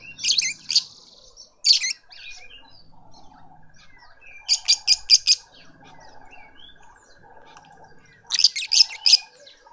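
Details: Lovebirds in a Pretoria garden, South Africa, adults feeding a youngster: short outbursts of shrill, grating chatter recur four times, each a cluster of three to five harsh notes, with soft twittering and a steady hum in between.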